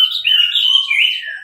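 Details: Orange-headed thrush singing a masteran tutor song in the teler style: a continuous high, warbling run of slurred, wavering whistled notes, rising and falling without a break for over a second.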